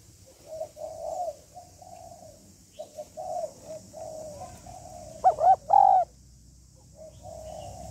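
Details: Hen spotted dove (cu gáy mái) calling to excite a male: a run of soft, low coos, then one loud, deep three-part phrase with a rolling ending, followed by quieter cooing.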